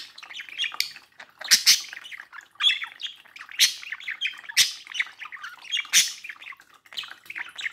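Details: Domestic budgerigar at a mirror, keeping up a rapid run of squawks, clicks and bright chirps, with sharp loud notes roughly every second and little background sound.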